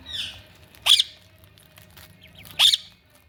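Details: Ringneck parakeet giving two loud, harsh, high squawks about 1.7 seconds apart, each rising sharply into a shrill burst, with a fainter scratchy call at the start and quiet background between.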